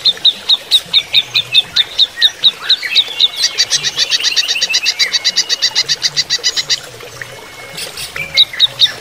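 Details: Caged greater green leafbird singing during running-water therapy. High chirps repeat steadily, about four a second, then run into a faster, denser rattling series before slowing to spaced chirps again.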